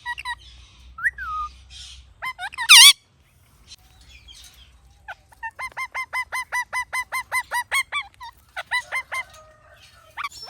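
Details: A rose-ringed parakeet (Psittacula krameri) gives a fast run of sharp, hooked chirps, about three a second, after a few scattered squawks and one loud harsh screech.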